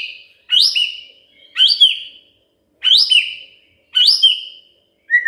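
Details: Magpie-robin song meant to make a silent bird sing: a loud, rising whistled phrase with a hooked ending, repeated four times about a second apart.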